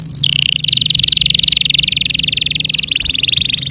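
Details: Canary tutor song, used to train young canaries and to prompt silent ones. A long, fast, even trill of rapid repeated notes held high after a brief opening note, shifting pitch slightly partway through, over a low hum.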